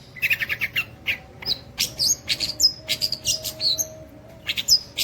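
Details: Long-tailed shrike singing in an imitating style: a varied, jumbled string of high chirps, sharp whistled flicks and short buzzy bursts, delivered rapidly with brief gaps.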